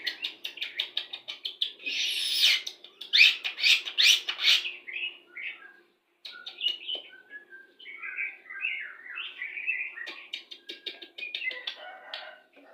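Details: White-rumped shama song as a pairing lure for breeding condition: a quick string of clipped notes, loud rhythmic harsh bursts, a brief pause, then a long tumbling warble of varied chirps and whistles.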